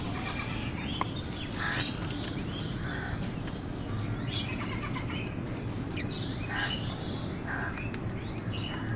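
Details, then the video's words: Crows squabbling with wild birds over food. Short harsh calls come in scattered bursts, mixed with chirps from other birds, over a steady low rumble of outdoor background noise. "কাকের ডাক crow sound"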